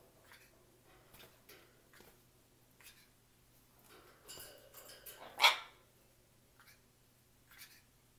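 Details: Yellow-crowned amazon parrot giving one loud, harsh, harmonic-rich squawk midway, with a few softer scattered sounds before and after in a quiet setting.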